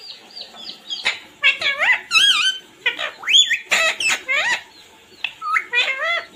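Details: Parrot chirping and calling 'mummy papa' in a busy run of calls: short high chirps, looping rising-and-falling harmonic squawks, and a long upward sweep, packed closely over a faint hum.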